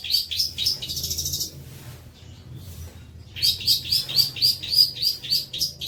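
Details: Long-tailed shrike song recorded as training material for other birds: bursts of sharp, high chirps repeated rapidly, a brief pause, then a run of bright, evenly spaced whistled notes.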